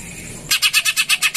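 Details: Greater green leafbird singing a song styled on house sparrow calls, used as a lure to prompt other birds to sing; after a brief quiet start, a fast run of eight harsh, chirpy notes, about eight each second.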